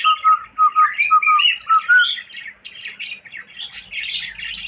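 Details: Pet cockatiel whistling a run of short, clear level notes, several spaced about half a second apart, over a busier chirpy warble that swells toward the end.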